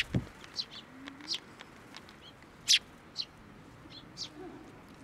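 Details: Several sparrows at a Tenmangu shrine, 10 June 2024, coming to a hand for food. Scattered thin, high chirps with one sharp louder note midway and a brief low thump at the start.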